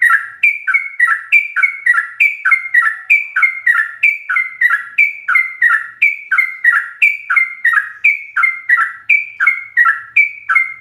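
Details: Sooty-headed bulbul in continuous ropelan song, full of fill-in phrases, used as a master recording for training captive bulbuls: rapid two-part whistled notes, each dropping then lifting, repeated about three times a second without pause.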